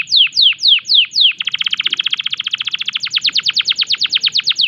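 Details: Canary in breeding condition singing five loud falling whistled notes, then a fast even trill of about twenty short notes, shifting into a slightly slower run of longer downward slurs.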